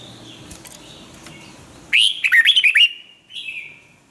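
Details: Red-whiskered bulbul, recorded for song training, delivers a quick bubbly phrase of about six rising and dipping whistles, then a softer falling note, following faint distant chirps and hiss.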